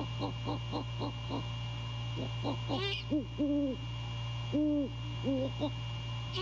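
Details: Male great horned owl calling to his mate at the nest at 2:27 AM on 15 January 2022, before courting and mating: rapid soft stuttering notes, a brief rising squeal, then deep, even, drawn-out hoots with steady low hum behind.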